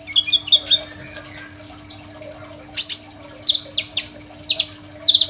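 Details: Crimson sunbird song, recorded on a phone as a master for training other songbirds. Scattered high chips, a short twittering run and sharp bright notes come in uneven bursts over a low constant hum.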